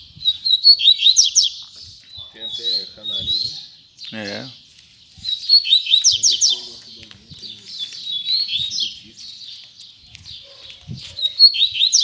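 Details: Double-collared seedeater singing in the tui tui zel zel style, a string of high, quick, buzzy chirps and slurred whistles in bursts with short pauses, and a brief lower descending sound midway.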